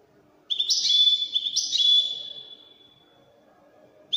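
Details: Moroccan wedani-style European goldfinch song: after a quiet start, two bursts of buzzy twittering trills lead into a long, level, pure whistled note that fades away.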